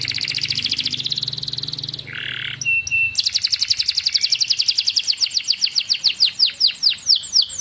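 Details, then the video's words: Juvenile canary singing as a tutor for silent canaries: steady high trill, a harsh buzzy burst and thin whistle, then a long rolling trill that slows into separate sweeping notes. "kenari paud kenari macet langsung gacor"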